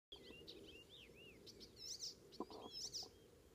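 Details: Icterine warbler singing on a May morning, 19 May 2016, north of Hollum on Ameland, Netherlands: varied, scratchy phrases with arched whistled notes and buzzy high bursts, sung against steady low background noise.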